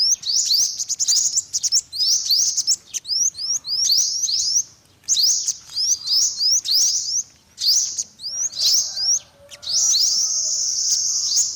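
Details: High, thin rising notes from an olive-backed sunbird in chattering groups separated by short pauses, ending in a sustained high buzzy trill.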